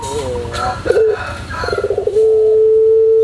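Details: Tutor recording of a singing white puter pelung dove: scattered short coos and a fast rolling burst, then the long level hooting note starts and holds to the end.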